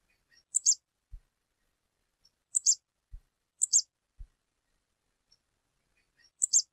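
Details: A female stripe-tailed yellow finch (Sicalis citrina) calling in the wild, giving thin, very high chirps in quick pairs, repeated every second or so, with a few soft low knocks between them.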